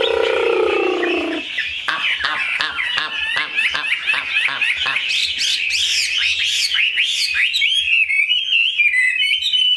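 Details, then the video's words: After a brief low, droning sound, a caged Chinese hwamei in Vietnam breaks into an energetic, rapid torrent of high whistles, slurs and trills, accompanied by frequent sharp clicks. "Họa mi"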